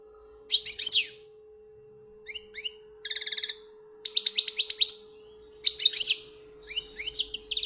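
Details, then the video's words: European goldfinch from Algeria, kept as a pet, singing in short bursts of rapid high twittering notes and buzzy trills, with quiet pauses between phrases; a faint steady hum runs underneath. "The best goldfinch singing beautifully"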